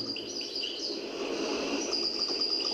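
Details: Caged European goldfinch (Carduelis carduelis) kept in Algiers, its song seemingly improvised and rehearsed: a high, tinkling twitter of quick notes and short trills over steady background hiss.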